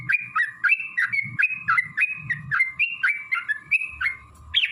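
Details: Sooty-headed bulbul singing energetic fighting-style phrases as a lure to get other bulbuls singing: quieter run of quick slurred whistles, several per second, over a constant hum and soft low-pitched knocking.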